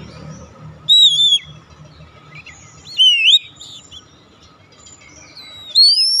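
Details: Oriental magpie-robin (kacer) song, used to draw a silent bird into singing, delivered as three separate loud, sweet whistled phrases spaced about two seconds apart, with quiet between and a low background hum.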